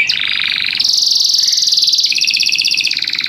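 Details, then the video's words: Singing canary delivering continuous buzzy rolling trills, shifting pitch between segments over a few seconds in a steady fast rhythm. "o canário canta num ritmo espetacular!!"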